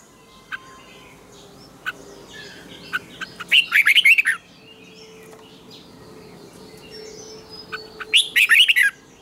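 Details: Red-whiskered bulbul giving its morning training song in the tense 'double twisted' style: two loud bursts of rapid, twisting warbled notes several seconds apart, with sparse soft chirps in between.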